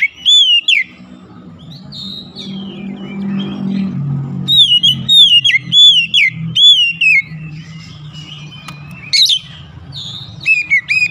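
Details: Oriental magpie-robin song used as therapy for a silent bird: quick series of whistled notes that rise then fall, repeated at a brisk pace, over a steady low engine-like hum.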